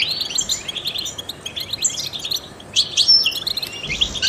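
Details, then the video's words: Trained European goldfinch singing, a recording meant to stimulate other songbirds: rapid, continuous twittering of high tinkling notes and short buzzy trills, a brief lull near the middle, then a bright burst of clear whistled and chattering phrases. "in the wild goldfinches chirp to stimulate songbirds"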